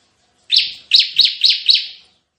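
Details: Bar-winged prinia in full 'tembakan' song, recorded as a tutor and lure: five loud, high, downslurred chirps in quick succession over little more than a second, with no other sounds.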